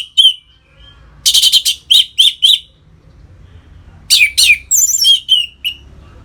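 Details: Orange-headed thrush in ngeplong song, for stimulating captive birds into breeding condition: rapid sequences of loud buzzy and whistled notes in quick succession, then a second varied burst with high trills, over faint background hum.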